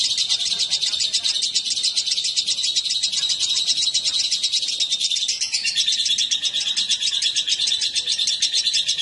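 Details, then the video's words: Lovebird male and female together producing continuous high-pitched twittering, rapid chirps packed tightly without pauses, the tone briefly shifting mid-way, over faint low background noise. "Kicau burung//Jika raja dan ratu di pertemukan"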